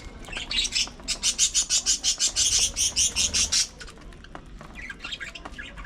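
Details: Budgerigar at early morning feeding time gives a fast, even run of high, buzzy chattering notes, about three per second, for over two seconds, then stops; softer chirps follow.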